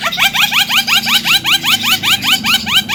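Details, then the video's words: Mblegedeg-style Javan myna phrase for prompting silent mynas: a steady series of rising, buzzy upslurred notes repeated about five times a second. "OCEHAN JALAK KEBO SUARA MBLEGEDEG || PALING COCOK BUAT PANCINGAN JALAK MACET"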